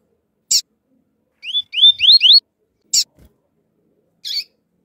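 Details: Rusty-collared seedeater: a male gives a quick run of five fluty, upslurred whistles in the flautado song style, with a female's sharp, scratchy chip calls before and after.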